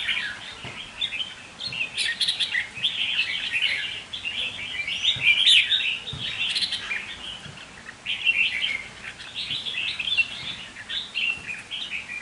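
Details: Red-whiskered bulbul, a captive decoy bird, singing nearly nonstop: tumbling, squeaky warbled phrases rising and falling, with brief pauses around four and eight seconds.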